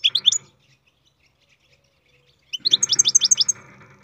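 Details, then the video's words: A captive-bred European goldfinch sings a brief three-note twitter, then after a pause a quick cascade of high, liquid chirps lasting about a second, with low background rumble. "Goldfinch carduelis singing"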